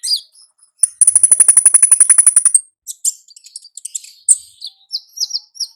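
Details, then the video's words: Olive-backed sunbird, wild, ngalas song: a rapid buzzing trill of evenly pulsed high notes lasting almost two seconds, followed by scattered thin chirps and falling whistled slurs. "Suara Asli Ngalas Konin Ninja di Alam Liar"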